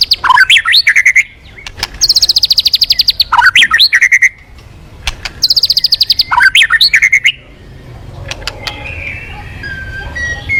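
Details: Lure recording of a white-rumped shama singing energetically: swooping whistled phrases alternate with long, rapid, high buzzy trills, repeated twice, then softer scattered notes and faint low rumble toward the end.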